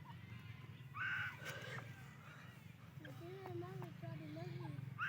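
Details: Grey francolin hen (Teeter Madi) calling to her mate and chicks: a short, harsh burst, then a second starting at the end, over low rumble with wavering human-like voices in between.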